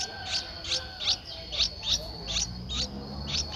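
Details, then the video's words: Streak-eared Bulbul chick, 11 days old, Ubon Ratchathani, Thailand, 13 April 2023: short, high, slightly descending chirps given about once per half second in a loose series, with a constant thin high hum behind. "นกปรอดสวน อายุ 11 วัน : Streak-eared Bulbul"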